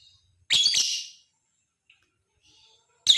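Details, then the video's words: Lovebird giving a chattering call meant to provoke other lovebirds: one loud, grating, stuttered screech lasting under a second, then silence until another harsh burst begins at the end. "Suara Masteran burung Lovebird, Ampuh bikin lakbet ikut bunyi, ngekek panjang pancingan LoveBird"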